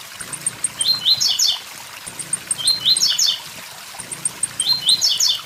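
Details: Three "tui tui zel zel" phrases from a blue-black grassquit beside a waterfall, each a quick series of high ticks building into a buzzy burst of upslurred chirps, with flowing water throughout.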